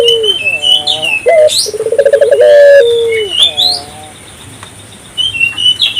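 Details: One coo from an African collared dove calling to prompt nearby doves: a high note, a rapid pulsed trill and a long falling note. Other small birds chirp and twitter before and after, then a quiet stretch.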